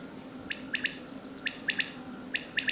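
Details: Common quail in May in the dehesas south of Olivenza, Extremadura, Spain, near the Portuguese border, where quail sing in the wheat fields, repeating its sharp, liquid three-note song about once a second over a steady high insect buzz and a low hum.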